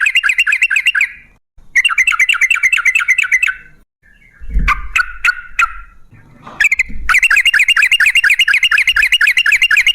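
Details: Sooty-headed bulbul, local trucukan, in long, rapid 'gacor ropel ngalas' song for luring bulbuls to answer: fast warbling trills in bursts separated by brief gaps, a few louder sharp notes midway, and a soft low thump.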